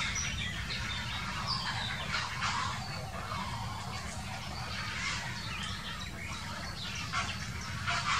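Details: Grey herons quarrelling, recorded in 2018: harsh, broadband squawks burst out at irregular moments over a constant bed of busier chatter from other birds, with steady low wind rumble underneath.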